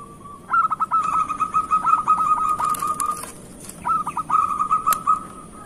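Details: Local zebra dove singing, used to coax lazy or moulting birds to sing: long runs of rapid, evenly pitched staccato notes with short pauses, then a second run, over a faint steady hum.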